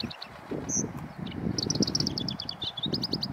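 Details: A female rufous-tailed rock thrush, a bird of mountain slopes and alpine meadows, gives short, thin, high notes in quick bursts, over a steady low rumble of wind.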